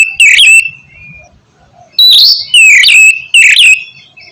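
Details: Oriental magpie-robin song for prompting a stalled caged bird to sing: one loud whistled phrase, a pause, then three more rich whistles with falling and rising notes about half a second apart.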